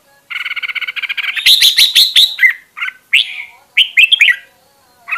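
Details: A red-whiskered bulbul in fiery form, recorded to train voices, opens with a rapid buzzy trill of repeated notes, then bursts into loud warbling and a series of slurred whistled phrases.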